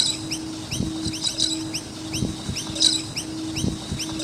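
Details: Noisy miners around a skate park: a steady stream of short, high, curved chirps, overlapping from several birds, with brighter clustered bursts now and then, over a steady low hum and dull knocking thumps.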